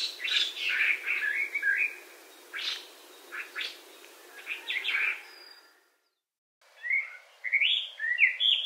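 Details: An introduced Chinese hwamei in Hawaii sings loud, varied phrases of rich whistles and slurred notes, broken by brief pauses and one short silent gap.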